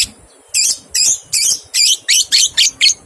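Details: Lovebird ngekek used to stimulate two-month-old young birds to sing: a loud, fast run of eight harsh, buzzy chattering notes, each about a quarter second long, following a brief quiet start.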